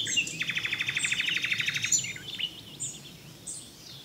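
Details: Common nightingale delivering a long, fast, buzzy rattle of rapidly repeated strokes lasting about one and a half seconds, followed by softer scattered whistled notes.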